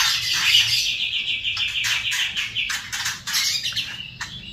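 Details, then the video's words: White-rumped shama singing in the kretekan style, a rapid chattering delivery: fast repeated high notes, about three per second, in a dense run, broken by sharper, louder bursts toward the end. "kretekan Murai Batu seri F trotol bikin Ribut suasana"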